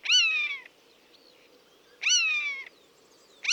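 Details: Mewing calls of a buzzard in the wild, each cry a harsh, falling 'pee-yow' lasting over half a second, repeated about every two seconds, with a third call starting at the end and faint background hiss.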